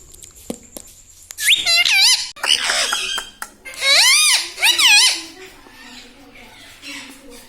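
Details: Pet parrot saying words such as mummy and mithu indoors: a few faint taps, then a run of loud, high, bending syllables in several bursts, fading to quiet room noise with faint squeaks.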